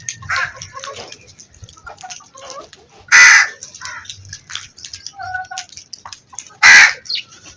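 A crow gives harsh, hoarse caws: two loud ones about three and a half seconds apart, with fainter rasping calls and a brief tonal note between.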